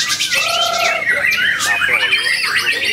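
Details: Newly acquired white-rumped shama from Ciseeng, Bogor, 10 August 2021, delivering a fast song of sweeping whistles and warbles, starting with a level low whistled note followed by quick rising and falling phrases.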